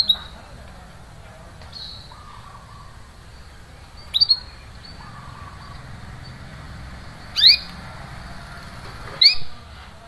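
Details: Canary calling with scattered sharp chirps spaced several seconds apart, some sweeping steeply down, others short doubled notes, plus soft lower whistled tones between; used to stimulate a silent canary to sing.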